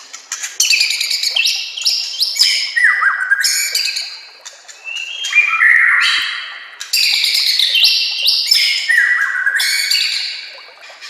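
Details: Training-master song of a white-rumped shama: rapid loud sequences mixing sharp ticks, rich warbles and downward-sliding whistles, delivered in energetic bursts with brief pauses between.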